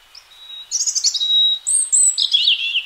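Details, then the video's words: Wild European robin spring song: a thin, steady whistle leads into rapid, sparkling trills, a piercing very high note, then a tumbling warble, all clear and loud. "chants , cris du rouge gorge HD/songs , calls european robin HD"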